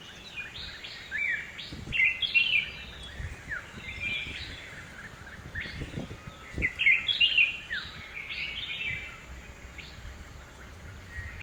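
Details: In a Hosur home garden, a red-whiskered bulbul gives loud, cheerful whistled phrases of three or four warbling notes, in two bursts several seconds apart, with occasional soft knocks in a quiet background.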